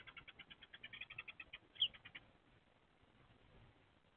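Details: Eurasian Tree Sparrow pair at a nest box on 30 April 2024, female on a half-arch calling back and forth with the male on the box roof: a rapid series of short chirps, about a dozen in under two seconds, then quiet.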